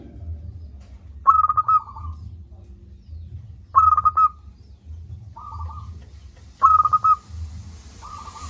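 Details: Persistent local zebra dove with a big voice, used as a lure for idle birds. Loud stuttered cooing phrases come about every 2.7 seconds, each followed by softer level coos. A low rumble is present throughout, with hiss near the end.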